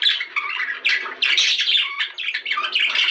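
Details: Budgerigar chatter used to encourage breeding: a fast, scratchy stream of warbles, squeaks and buzzy squawks with short breaks, recorded indoors.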